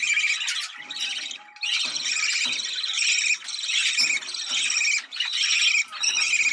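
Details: Budgerigar chatter used to excite birds for breeding: steady stream of buzzy, scratchy warbling with rapid trills, a faint steady whistle tone early on and brief quiet breaks.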